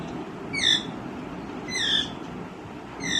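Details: Green ringneck parrot calling; three short, harsh, downward-slurred screeches about every one and a quarter seconds over steady low background hum.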